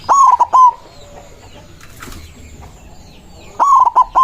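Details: White zebra dove singing hard from its perch with a powerful voice to challenge rivals; two loud, quavering three-note coo phrases, roughly three and a half seconds apart, with soft chirping of other birds and light background noise.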